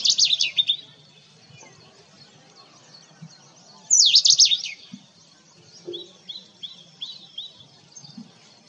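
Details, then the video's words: Indian robin (Saxicoloides fulicata) giving bright, high chirps and quick descending whistled notes in short bursts, then a soft run of repeated tweets; faint low rumble beneath. "Indian Robin Bird Call"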